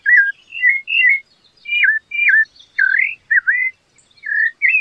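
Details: Rufous-bellied thrush singing a series of clear whistled phrases, some rising and some falling or looping, in short bursts separated by brief pauses, with no other notable sounds.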